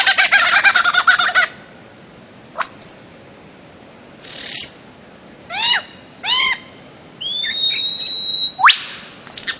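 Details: A bird-of-paradise opens with a loud buzzy, pulsing burst, then gives scattered sharp upsweeps, paired stacked downslurred notes, and a long level high whistle that ends in a steep rising note.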